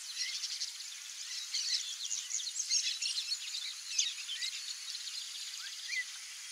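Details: A rusty-collared seedeater (Sporophila collaris) sings a fast, high, busy twittering of short chirps and trills, with a thin steady insect-like hiss running underneath.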